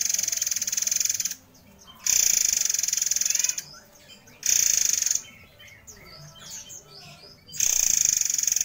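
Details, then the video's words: White-crowned forktail singing in a recording meant as a model for training other birds: loud, shrill, high hissing phrases lasting one to two seconds, separated by short quiet gaps, with faint chirps between them. "Murai Air Gacor Nembak Speed Rapat"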